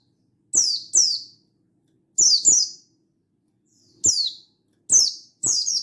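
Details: Buxtoni mountain white-eye, 16/8/22, calling out to a rival to make other white-eyes sing. High, bright, downward-sliding chirps given in quick pairs, four groups in under six seconds over near silence.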